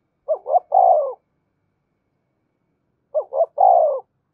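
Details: Spotted dove urging coo meant to stimulate singing and train decoy birds: two identical phrases, each two brief notes followed by a longer wavering coo, about three seconds apart.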